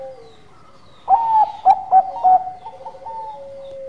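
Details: Bangkok perkutut, a zebra dove, singing actively: after a faint low coo, four loud punchy notes stepping up and down, followed by smooth level whistles that fall slightly at the end.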